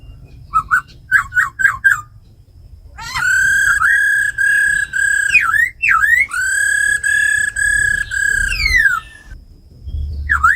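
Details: Tamed caged laughingthrush singing in forest-voice style, paired with a female's rattling calls to excite other birds: short rising whistled notes, then long steady rich whistles broken by quick downward-and-up flicks, with low background rumble.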